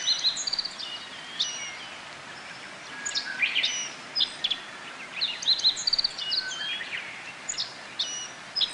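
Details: Japanese white-eyes gathering to feed on bottlebrush flower nectar at a forest botanical garden in Kobe, Japan, on 14 June 2018 during a rainy-season break; thin, high chirps and short twittering notes come in scattered bursts over faint background hiss.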